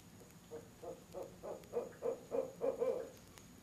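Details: Barred owl pair at a nest box on an October evening around 7 pm, an out-of-season visit with the mate joining in: a rapid run of low, mellow hoots, roughly three per second, building louder toward the end.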